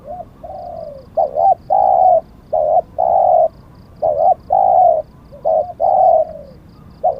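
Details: Repeated coo phrases from a Spotted dove used as a decoy in Thailand. Each phrase is a doubled stutter, then a long mellow coo that falls away, repeated about every two seconds. Faint ticking is heard in the background.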